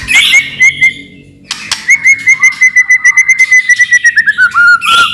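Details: White-rumped shama singing loudly to lure other shamas into song: a rapid, even trill of pure whistled notes held high, then stepping down in pitch toward the end, with brief harsh notes at the start.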